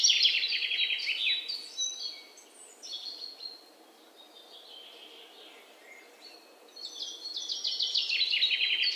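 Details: Three red-whiskered bulbul nestlings at a home nest during feeding: bursts of shrill, rapid chirping at the start, a quieter stretch with scattered thin notes, then loud high twittering returns toward the end.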